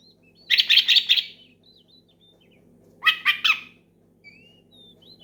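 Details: Loud oriental magpie-robin song meant to challenge a rival; two dense bursts of rattling, buzzy notes about two seconds apart, with soft thin whistles in the gap and a faint low hum throughout.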